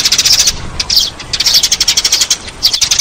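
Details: Eurasian tree sparrow call used as a lure: loud, rapid chirping in clustered bursts, short sharp notes tumbling quickly one after another with brief pauses between groups.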